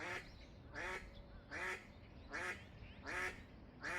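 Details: Loud-voiced eastern spot-billed duck giving rhythmic raspy quacks, six in four seconds at an even pace, each a short nasal burst, with low rumble underneath.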